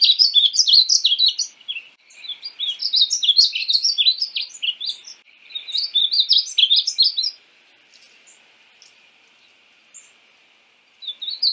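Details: Painted bunting pouring out several lively phrases of high, jumbled warbling notes, each a couple of seconds long with short gaps, followed by near silence and a final brief burst.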